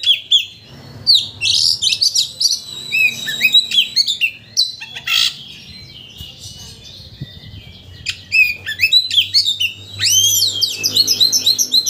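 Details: White-rumped shama used to provoke another shama into full song; a long, varied medley of sharp whistles, rapid chattering trills and slurred notes, with a quieter stretch midway before loud rising and falling whistles return.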